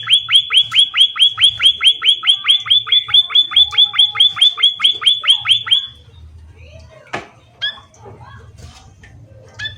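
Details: Munia singing energetically: a six-second burst of rapid, evenly spaced, high down-slurred chirps, then quieter, scattered short chirps and a couple of clicks over a low background hum.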